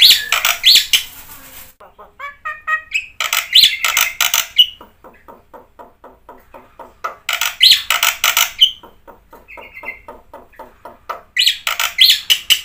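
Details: Black-winged myna in full song as a lure for reluctant singers: loud bursts of harsh, grating chatter alternate with long runs of soft, evenly spaced clicking notes and a short whistle between them.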